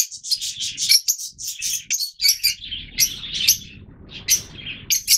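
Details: Yellow mutation Fischer's lovebirds, the oldest colour mutation of the species, chattering together: dense bursts of shrill, high chirps and squeaks overlapping in rapid succession, with a faint low rumble in the background.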